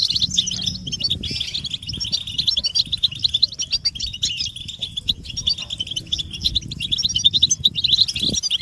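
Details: Group twittering of European goldfinches, meant to stimulate captive males to sing and break their silence, including mating and readiness calls. Dense, continuous high chirps and tinkling trills overlap throughout, with a low background rumble.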